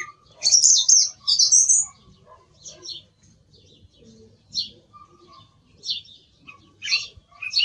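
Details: Two loud, high, scratchy phrases open this song thrush song, followed by quieter scattered notes and brief sharp phrases spaced over several seconds.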